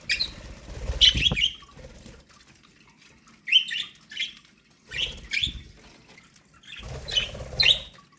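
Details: Chirping budgerigars feeding on corn: four separate bursts of sharp, high chirps a second or two apart, with a soft thud and faint rustling between them.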